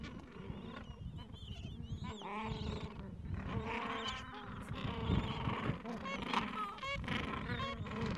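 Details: Gentoo penguin breeding colony in the Falkland Islands, mild afternoon, chicks two to three weeks old; layered harsh brays and higher squeaky calls from several birds, with low rumbling background noise.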